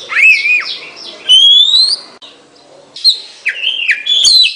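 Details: Oriental magpie-robin whistles a clear wavering note, then a long rising whistle, and after a pause a few quick slurred phrases.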